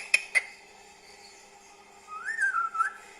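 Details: Green talking parrot, kept as a pet: two sharp clicks, then a long whistled phrase that rises and wavers down in a smooth arc.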